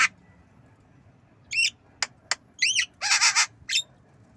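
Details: Javan myna learning to cough: a harsh broadband rasp, then rising whistled notes, short sharp clicks and a burst of buzzy, coughing squawks near the end, over a quiet background.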